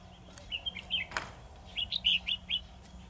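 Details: Singing decoy red-whiskered bulbul in a trap: two bursts of bright chirping, warbled notes separated by a brief pause. A single clattering thump sounds partway through.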